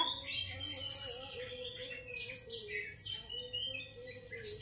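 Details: Grey-cheeked bulbul singing: clusters of high, sharp chirps and quick twittering notes come in short bursts with brief gaps between them, over a faint, steady low hum.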